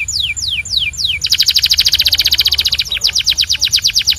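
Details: Belgian canary in song: three falling whistled slurs followed by a long, loud, rapid bell-like trill, then a string of falling chirps delivered at a fast, steady pace.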